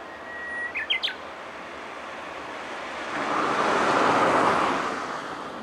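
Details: Japanese bush warbler calling as it flies away: a steady held whistle, then a quick burst of sharply rising notes, followed by a swelling rumble like passing traffic.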